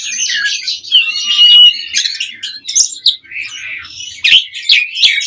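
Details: Asian pied starling in mompa style, a lure to draw responses from other birds: long, harsh, grating warbles at first, then brief sharp notes and squeaky whistled phrases, with nothing else heard.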